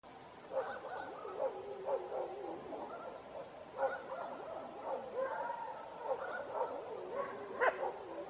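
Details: Male black grouse giving a steady, low bubbling coo: rolling, overlapping phrases run without pause through the whole stretch, with slightly louder swells about every second. No other sounds stand out.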